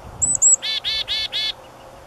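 Black-capped Chickadee giving its namesake call: two thin, very high notes, then four harsh buzzy 'dee' notes in quick succession, against a quiet background.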